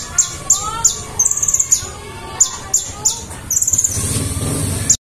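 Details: Konin, or kolibri ninja, a sunbird in full lively song: piercing high chips repeated at short intervals, broken by quick buzzy trill bursts, over low background hum and noise.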